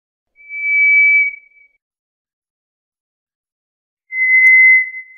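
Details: White's thrush (White's ground thrush) singing two long, thin, level whistles about three seconds apart, the second slightly lower in pitch, against total silence.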